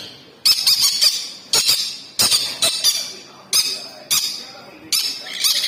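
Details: Hand-fed sun conure chicks in Rourkela, Odisha give harsh, raspy squawking bursts, about six rough pulses in under six seconds, high-pitched and grating, with room echo behind.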